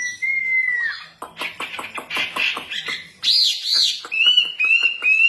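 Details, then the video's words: A female wambi in full song opens with a long pure whistle falling at the end, then gives a fast sequence of clicking rattles, a rich warbling burst, and evenly spaced short whistled notes. "burung wambi cewek gacor"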